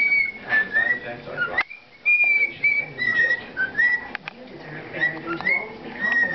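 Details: A pet bird sings to a baby, giving clear whistled notes in short rising and falling phrases, repeated with brief pauses, over a murmur of room noise and soft voices.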